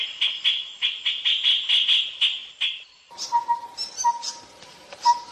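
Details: Wild grey-cheeked bulbul: a fast series of about ten harsh, chattering notes repeated roughly every quarter second, then broken high chirps mixed with short, steady mid-pitched tones and faint background calls.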